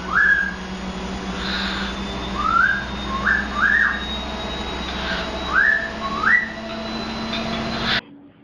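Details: A pet cockatiel whistles the Imperial March from Star Wars as a series of short, rising, slurred whistled notes in small groups with brief pauses. A steady low hum runs underneath, and the sound cuts off abruptly near the end.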